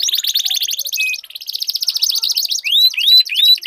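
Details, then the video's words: Canaries dueling in a long roll: a dense buzzy trill holds for over a second, a brief steady whistle, another rattling roll, then loud upward-curving clear whistles near the end. "Duel Burung Kenari Suara Merdu Ngerol Panjang"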